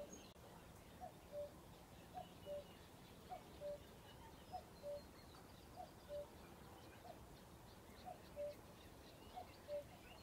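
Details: A common cuckoo at RSPB Ham Wall Nature Reserve, Somerset, UK, repeats its soft, hollow two-note 'cu-coo', the second note lower, about every 1.2 seconds over a low background rumble.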